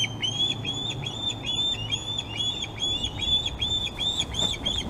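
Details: Osprey on the Glaslyn nest on 26 August while fish are shared among the young. A quick, steady chain of thin whistled chirps sits over a low background hum.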